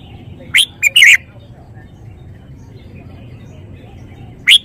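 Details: Caged red-whiskered bulbul showing its song phrasing: a quick three-note bright chirped phrase near the start, a long pause with faint background hiss, then a single sharp rising chirp at the end.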